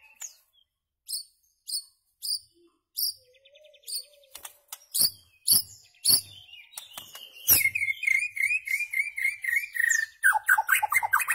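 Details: White-rumped shama song used to tutor goldfinches and their hybrids in rare notes: spaced high chirps, then a dense, varied run of whistles, trills and sweeping notes, ending with rapid descending phrases.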